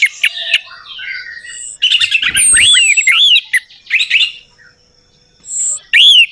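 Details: Orange-headed thrush song for luring a silent bird to sing: soft warbling opening, then a loud run of wavering looped whistles with a high thin note, a pause, and a final loud phrase.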